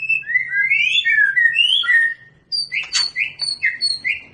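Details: Long-tailed Medan white-rumped shama during pairing for breeding. Smooth, rising and falling whistled phrases run together, then after a short pause come evenly spaced, clear upward whistles with a sharp crack among them.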